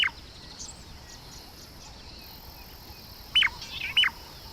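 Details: A shrike pair gives its morning duet in central Namibia, the male calling first and the female within a split second so it sounds like one bird: brief, sharp, clipped calls over a steady high insect buzz.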